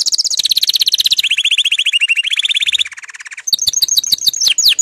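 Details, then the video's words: Song of an excited male canary getting ready to breed. Long rolling trills step down in pitch from phrase to phrase, then break into sharper, bright chirps near the end. "صوت دكر الكناري الهائج"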